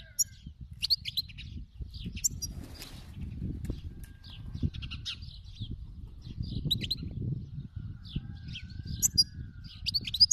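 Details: Wild European goldfinch producing scattered high twitters and chirps, short tinkling phrases separated by gaps, over a constant low rumble.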